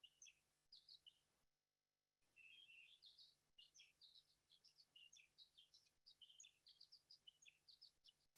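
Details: Violet-green Swallow dawn song, heard in the middle of the night and first taken for Black Swifts: a steady stream of thin, high twittering chips and short buzzy notes, several per second, with a brief gap near the start.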